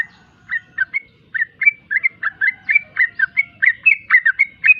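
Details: Sooty-headed bulbul singing konslet style: fast string of bright whistled phrases, many upslurred and a few downslurred, closely spaced and fairly irregular, with soft low background noise underneath.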